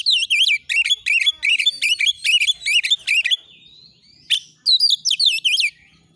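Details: Oriental magpie-robin song meant to lure birds into singing and display: rapid, evenly paced string of high, wavering whistled phrases, a thin rising slur, then another quick burst of looping notes.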